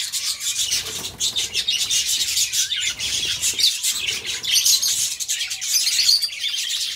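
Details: Pet budgerigars warble in an unbroken flow of rapid high chirps, ticks and scratchy notes, rising in loudness toward the final seconds.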